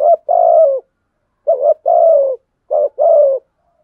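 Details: Three deep double coos from a decoy spotted dove calling to provoke a fight, each a quick short note leading into a longer, smooth, slightly dropping coo; nothing else audible.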